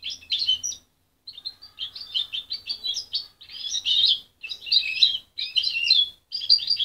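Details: Young goldfinch hybrid, raised by its mother until 23 days, sings short scratchy bursts of high chirps, roughly one a second, with uneven spacing and a faint low hum underneath.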